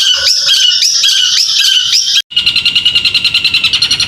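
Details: Contest-trained caged bird sings a busy run of sharp high chirps for about two seconds, then after a brief silence switches to a fast, even trill of rapidly repeated notes.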